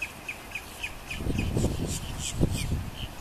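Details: Black-necked stilt calling with short, sharp, slightly downslurred notes repeated roughly three times a second, over low rumbling wind or movement noise.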